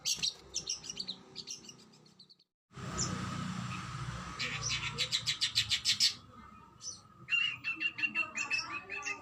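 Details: Oriental magpie-robin (kacer) in fierce 'tembakan' bursts used as masteran tutor song: high, rapid chattering and whistled phrases, a brief break, then fast repeated staccato notes over a steady low hum.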